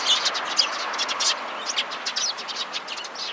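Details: Alarm calls from sparrows gathered close by on 16 February 2017: a rapid, irregular burst of high, scratchy chirps from several birds, about two per second, overlapping one another.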